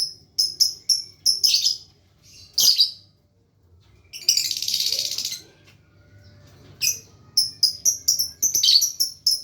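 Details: Lovebird practising the long ngekek trill: strings of quick, high chirps at the start and end, with a buzzy, harsh rasp in the middle.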